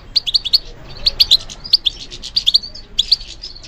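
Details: Goldfinch singing in response to stimulation, a competition-song bird: crisp high chirps in fast doublets and triplets, bright and ringing, steady through the stretch.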